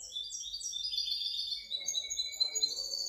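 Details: Hybrid goldfinch, 2019–2020, in continuous hurried song: dense jingling twitters and thin buzzy trills running without pause, with a few sharper accented notes near the end.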